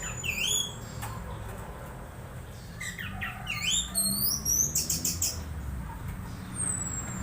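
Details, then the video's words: Orange-headed thrush (anis merah) giving strange sounds while being conditioned: scattered sharp, up-swept and down-slurred high chirps and squeaks in short bursts over a steady low hum. "Suara suara aneh anis merah saat di cas"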